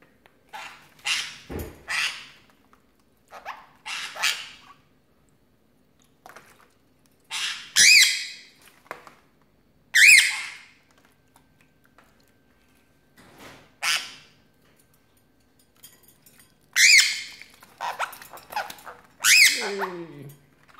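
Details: A female pet cockatiel at bath time, being sprinkled with water, gives loud, harsh screeching squawks in irregular bursts, with a person greeting her.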